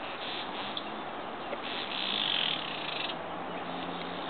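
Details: A male southern masked weaver at Woodland Park Zoo in Seattle, WA, gives a dry, buzzy, sizzling chatter that swells in the middle, over a constant hiss of background noise.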